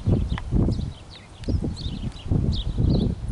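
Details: House finches fighting on a street in Canada; short high chirps and squeaky notes come in scattered bursts over loud low thumping and knocking noises like hooves or footsteps.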